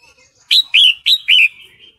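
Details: Four loud, clear chirps in quick succession, each swooping up then down, from a female sooty-headed bulbul in breeding condition calling the male, with soft trailing notes afterward.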